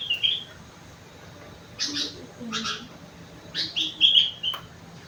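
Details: Kutilang, the sooty-headed bulbul, singing its rengganis and cucak wilis learned fill: a short whistled opening, two scratchy chirp bursts after gaps, then clear descending whistles near the end.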